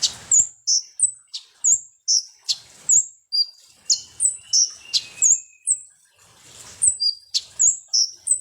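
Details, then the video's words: Sunbird, known locally as konin or kolibri ninja, song played as a lure to make birds agitated; thin, very high sharp chirps and downslurred whistles in a rapid, irregular string, with brief clicks between notes. "SUARA BURUNG KONIN atau KOLIBRI NINJA"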